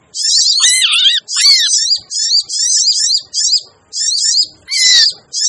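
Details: Crimson sunbird lure calls, busy and noisy, used to attract birds: high twittering chatter in regular bursts about every second, with faint short lower pips and a few wavering slurred notes.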